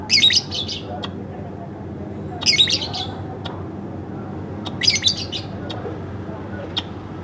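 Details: Home-kept pet lovebird sings actively, with bursts of shrill, scratchy, twittering chatter repeated roughly every two and a half seconds. Sharp single ticks fall between the bursts, and a low room hum continues underneath.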